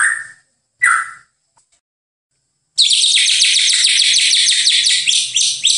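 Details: White-rumped shama singing on a bird-training master recording. Two brief whistled notes separated by a pause, then a fast, high, buzzy chatter of rapidly repeated notes lasting about three seconds. Background is clean.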